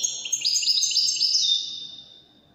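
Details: A Widani European goldfinch gives a brief, rapid phrase of high, bright twittering notes in Moroccan Widani style, fading out after about a second and a half.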